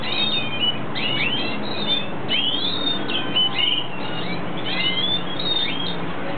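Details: Red siskin (cardenalito de Venezuela) in breeding condition producing bright clustered chirps and sweeping notes in bursts about every second, over a faint low hum.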